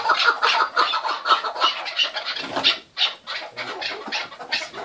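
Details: Keklik, or chukar partridge, giving a lively clamour: quick chuckling notes repeated roughly three times a second, overlapping and uneven, with louder bursts and short lulls, several birds calling together.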